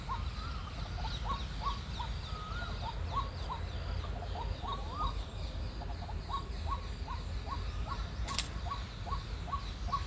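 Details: A White-breasted waterhen, said to be giving its mating call, repeats short, upslurred 'kook' notes about two a second over a steady low rumble of wind or distant traffic, with other birds singing.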